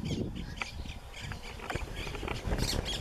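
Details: Wild macaws in Brazil's Pantanal or Amazon give harsh, broadband squawks in quick bursts of two or three, with low rumbling noise underneath.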